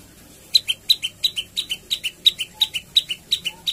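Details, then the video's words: Javan tailorbird in full song: paired sharp high notes, a bright click then a lower chip, repeated steadily about three times a second. "Prenjak Lumut Gacor Mainkan Variasi Lagu dan Tembakan"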